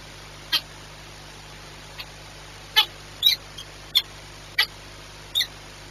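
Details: Peregrine falcon at Orlen Płock, afternoon of 22 March 2021, uttering a series of short harsh squeaks and chips, roughly one every half second to second, some with a slight downward inflection, over a faint steady hum.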